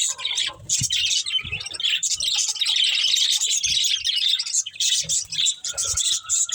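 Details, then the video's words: Budgerigars chirping while eating green food: a dense, continuous chatter of high, scratchy warbles and chirps, with faint low thumps beneath. "Beautiful Budgies Enjoying Eating Green Food | Love Birds Chirping Sounds"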